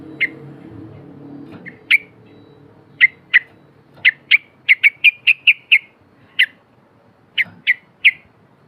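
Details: Isolated sharp, slurred chip notes from a Yellow-vented bulbul lure recording, given singly and in quick clusters, some doubled, scattered over eight seconds with faint low background noise early on.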